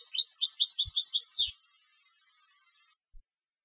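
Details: Competition European goldfinch singing a brisk run of high, tinkling twitters for a second and a half, ending in a steep falling buzzy note, followed by quiet.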